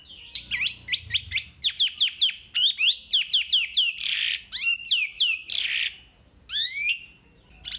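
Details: Wambi song from a master recording for songbird training: rapid series of sharp whistled notes sweeping down and up, quick chips, and a few buzzy bursts, delivered in a dense, lively run with little pause.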